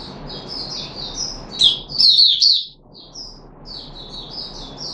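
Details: Puteh Raja red-whiskered bulbul, a cage bird recorded 13 April 2021. Soft chattering whistles build to one loud, tumbling burst in the middle, then drop back to quieter notes over background hiss.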